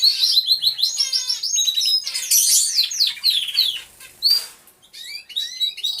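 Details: A hidden camera in an aviary picks up many canaries singing: dense fast trills and falling whistles at the start, a loud burst midway, then scattered higher notes as the chorus thins.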